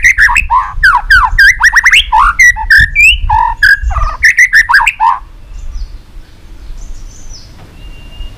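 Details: Fired-up white-rumped shama in competition singing with many forest voices: a dense five-second stream of quick warbled and looping notes in the middle range, followed by near silence.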